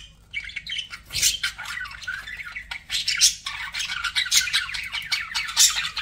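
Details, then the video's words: Budgies chirp and squawk in raspy, high bursts, starting quietly then building into a continuous chatter of short scratchy notes. "BUDGIE SOUNDS"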